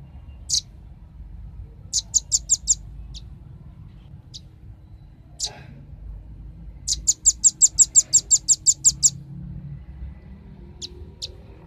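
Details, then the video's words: Velvet-fronted nuthatch, used as a lure recording to attract birds. High, thin, rapid notes come in quick bursts of four to twelve, with scattered single chips between, over a faint low rumble. "suara pikat burung rambatan ribut suara jernih"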